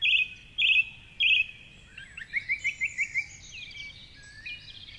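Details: At 4.45am in Cork City, a male song thrush sings from a tall tree near the Curragheen River in the dawn chorus; a scratchy phrase delivered three times, followed by a rapid series of six short chirps and high squeaks.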